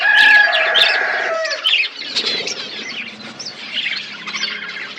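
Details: Budgerigars in a colony setup chirping; dense overlapping warbles and chatter, loud at first then softer, with a low steady hum underneath.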